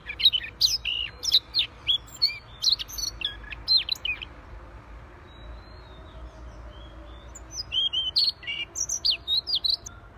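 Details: Siberian rubythroat singing vigorously (gacor): a burst of quick, high, varied chirps and slurred whistles for about four seconds, a pause, then another run of sharp high notes, over low steady background hum.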